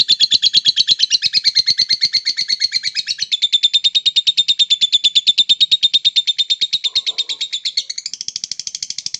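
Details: Long ngekek song from a Palamas blorok lovebird, a continuous rapid string of scratchy, high chirps at an even, fast pace for about eight seconds, the tone changing briefly near the end before the chatter carries on.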